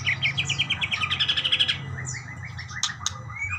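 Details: Budgerigars answering one another, opening with a quick run of even, repeated chirps, then looser warbling notes and a few sharp clicks.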